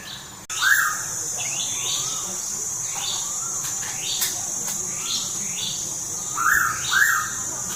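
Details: Pitta calling at Tha Pom, Krabi, Thailand: short bright whistled notes and quick rising slurs, repeated irregularly every second or so, with a sharp click near the start and a steady high insect hiss throughout.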